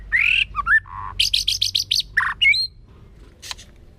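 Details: Forest-voice song of a white-rumped shama: a burst of mixed whistles and a low note, then a rapid string of about seven bright, clipped syllables and a short twittering tail, over faint low hum.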